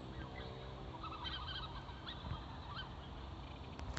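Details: Black-necked swan giving a few soft, nasal honking calls mid-clip, partly buried in steady low rumbling background noise.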